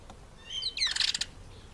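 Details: African green pigeon, Treron calvus, eating an apple: two thin whistled notes, the second rising, then a brief burst of rapid clicky, crackling notes; quiet background.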